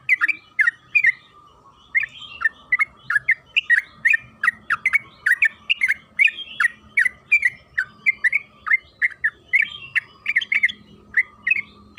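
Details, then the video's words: Sooty-headed bulbul song used as a lure to prompt other bulbuls to sing: a rapid, continuous run of short bubbly chirped notes, several per second, over a steady faint background hum. "Pancingan trucukan agar bunyi‼️Suara burung TRUCUKAN KEBO Gacor ropel Panjang"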